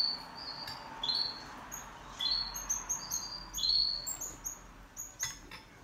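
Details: Pet canary singing in a duet: a loose run of short, high, sharp chirps and brief upswept whistles, several notes a second, with scattered quieter replies.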